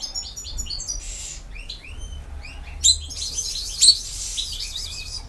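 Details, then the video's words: Goldfinch campero song from BiH: scattered high chirps and slurred notes over faint background hiss, with two short louder clicks or taps. "El Jilguero BiH 15"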